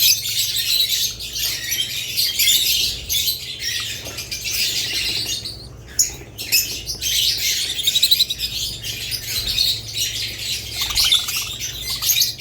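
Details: Budgerigars and lovebirds keep up a long, steady high twittering, with a near-silent break around six seconds before the chirping chorus resumes.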